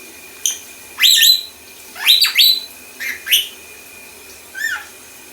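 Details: Male pet lorikeet mimicking R2D2 robot sounds: loud, sharp whistled chirps sweeping up and down in quick bursts, about five bouts over five seconds with short pauses, over a faint steady high-pitched hum.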